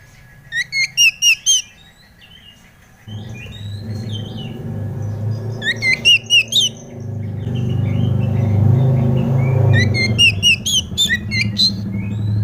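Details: Oriental magpie-robin (kacer) lure song meant to prompt an untrained bird to sing: three bursts of sharp whistled and twittering notes, repeated every few seconds over a growing low rumbling background noise.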